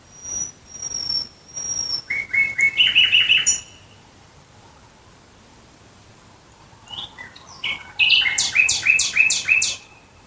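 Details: Singing at night near Dresden, Germany, a nightingale gives a long pure whistle, then a series of accelerating repeated rattling notes; after a quiet gap a second phrase of loud, fast repeated chopping notes follows.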